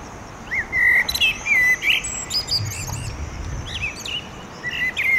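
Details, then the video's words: Territorial song of a male common blackbird at sunset in an urban setting at Oradea, beside a pedestrian bridge over the railway: several short fluted phrases mixed with high squeaky notes, repeated with brief pauses. "Blackbird singing at sunset"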